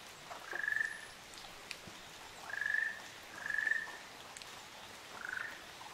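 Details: Ruddy Kingfisher pair on Amami Oshima, giving four short rolling trilled calls near the same mid pitch, the third following closely on the second and the last lower and softer, over a quiet dripping background.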